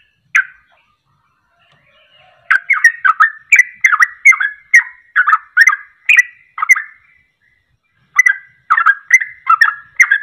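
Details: Rapid ropel-style song of a sooty-headed bulbul, played to provoke other birds into singing: after a single opening note, dense bursts of quick, bubbling, slurred notes roll out several per second, pause, then resume.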